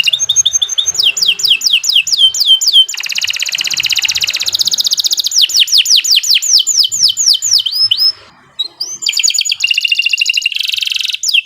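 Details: Extended canary song for masteran tutoring, full 'gacor' delivery: varied rolling trills, runs of descending whistled sweeps and buzzy rattles, with only a short gap before the song resumes.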